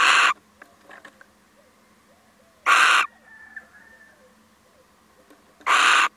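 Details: A visiting male little owl utters loud, hoarse screeching calls about three seconds apart, three in all, with a faint thin whistled tone and soft clicks in the gaps.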